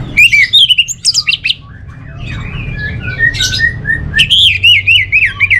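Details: Energetic orange-headed thrush song from North Bali: loud, quick chirps and slurred whistles, a softer middle passage of varied twitters, then a fast series of rising and falling whistled notes, with low background hum.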